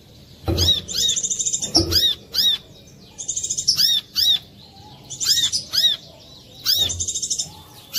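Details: Brown-throated sunbird singing a lure song to trigger song in other sunbirds: repeated bright, high-pitched chirps and quick trilled bursts in steady succession, with a few soft low knocks in the background.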